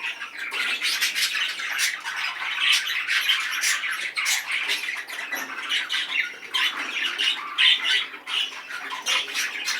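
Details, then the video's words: Long run of rapid clicking and chirping warble from a very excited male budgerigar, with scratchy trills and a few squeaky peaks toward the end. "طيور الحب دكر بادجي جد هائج"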